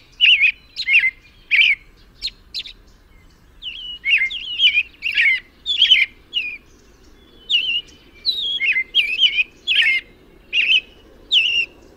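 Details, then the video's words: An American robin sings clear, warbled caroling phrases, rising and falling and delivered in short bursts with brief pauses, over a faint low background hum. "American robin (Turdus migratorius) tweets and sings with an amazing voice"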